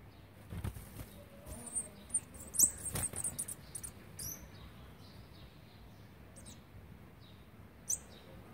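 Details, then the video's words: Olive-backed sunbird chicks being fed on the twelfth day of feeding, 29 September 2019: a flurry of very high, thin, sharp squeaky notes over about three seconds, then a lone high squeak later, over a quiet low background hum. "นกกินปลีอกเหลือง (Olive-backed Sunbird) ป้อนอาหารวันที่๑๒"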